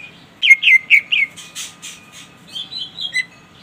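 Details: Greater green leafbird in full gacor song, calling out to a rival as a lure: a quick run of bright whistled notes, then harsher buzzy bursts and a higher warbled phrase, over a faint low hum.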